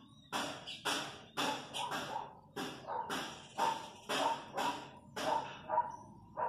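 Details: Chachalacas in the countryside, wild birds near a house, giving loud harsh raspy calls repeated roughly once a second in uneven bursts, with strong overtones and a few faint higher chirps between.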